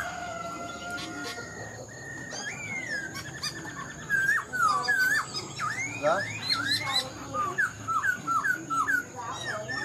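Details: Caged Black-throated laughingthrush, an older wild-caught bird still partly untamed, singing: after a quiet start, a run of short slurred whistles rises and falls, with quick hooked notes packed closely toward the end over indoor background hiss.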